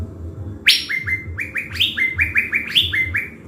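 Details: Blue-winged leafbird, a caged decoy in Bình Thuận, Vietnam, singing hard before release to the forest for trapping. A buzzy burst opens a rapid series of about a dozen rising whistled notes, each a clear upward slur.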